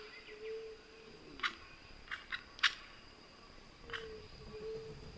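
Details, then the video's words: Crested oropendola gives a few short, harsh, clacking notes at irregular intervals, over a steady high insect hum and a faint low drone. "Crested Oropendola"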